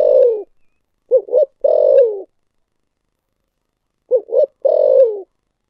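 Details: Deep, hollow cooing from a spotted dove in the thổ sấm style. The clip opens with a falling coo, then has two full phrases of paired short notes each ending in a sustained downward coo.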